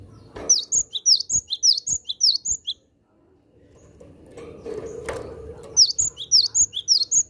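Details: Javan sparrow kept to lure wild Javan sparrows, calling in two bursts of quick, high, ringing chips, each burst about ten notes, separated by a pause with low background rumble and a knock.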